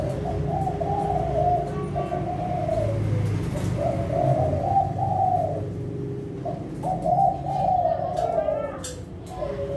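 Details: Competition-class Kelantan spotted dove, an adult breeding bird from a pen in Situbondo, Indonesia, gives repeated low, rolling coo phrases, each a rough burst with a trailing note, over a steady low background hum.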